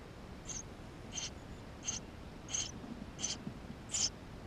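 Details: Tree sparrow nestlings inside the nest, GoPro recording from 28 May 2016: six high, thin chirps at a steady pace, a little under one per second, the last one loudest.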